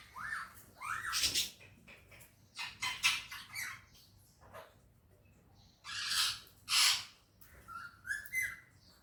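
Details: Talking parrot in a happy mood, said to speak Urdu and Hindi, makes a run of scratchy squawks and rasping chatter with short rising notes, in irregular bursts separated by brief silences, indoors.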